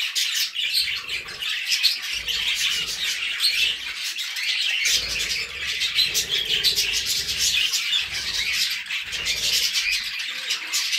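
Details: Budgerigars and cockatiels together: an unbroken wash of high chirps, raspy chatter and little squeaks from many birds, level in loudness over eleven seconds.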